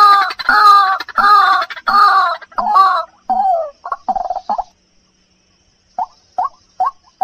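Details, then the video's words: Luring sound of a white-breasted waterhen: strong, buzzy, harmonic calls repeated roughly twice a second that fade into quicker, fainter notes. Silence follows, then a few short, sharp notes. "suara pemikat burung ruak ruak"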